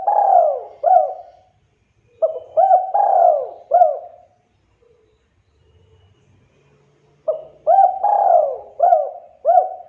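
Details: Spotted dove singing energetically, used as a lure to make other doves answer: phrases of a short hooked coo notes and a long drawn, falling purr, two bursts separated by a pause of near silence.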